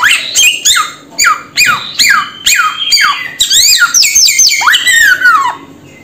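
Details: Samyong bird giving loud, harsh squawking calls that slide downward, repeated about twice a second, then running into a tighter series of swooping, falling whistled squawks.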